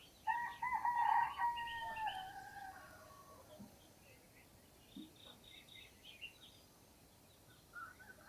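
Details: Roosters crowing in the early morning at Namje Village, Dhankuta, recorded on a Sony camera. One loud, drawn-out harmonic crow lasts about two and a half seconds and fades. Small birds then chirp high and thin over a quiet rural background.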